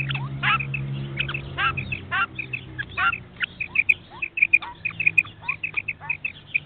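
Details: Common quail call for hunting: rapid three-note phrases repeated many times, crowded by sweeping chirps from other birds over a steady low hum.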